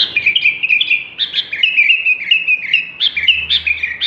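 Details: Sooty-headed bulbul singing vigorously: a fast run of bright, chirpy whistled notes. They rise and fall in short bursts of two or three, continuing without pause. There is a faint low hum in the background.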